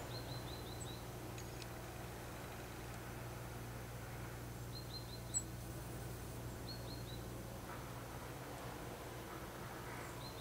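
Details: A Eurasian blue tit, recorded 4 March 2015 in the afternoon, gives thin, high notes in quick runs of three or four, repeated every couple of seconds, over a steady low engine-like hum.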